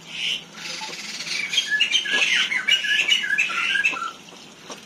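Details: Angry caged black-winged myna in an aviary in Indonesia keeps attacking its keeper. After a short opening squawk comes a dense, grating run of rasping, chattering calls lasting about three seconds, then the bird falls quiet.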